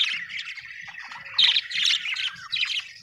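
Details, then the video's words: Happy budgie chirping in quick bursts of scratchy warbled notes and squeaks, a louder chattering phrase midway and another near the end, over faint low background hum. "happy budgie chirping sound"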